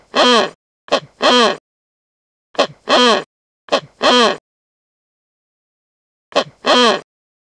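Wreathed hornbill giving loud, hoarse two-part calls, a short clipped note then a longer barking one, repeated four times at uneven intervals, with quiet between.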